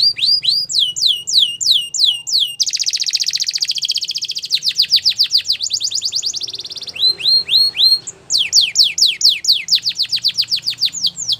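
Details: Belgian canary singing a fast, varied song: rapid series of high upward-sweeping whistles, a dense buzzy trill in the middle, then more quick rising notes, roughly several per second, with a faint low hum underneath.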